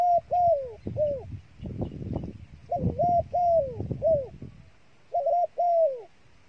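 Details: Dove kept as bait gives repeated soft coos, paired notes rising then sliding down, in bursts of three to four separated by gaps, with low rumbling handling noise in the first half.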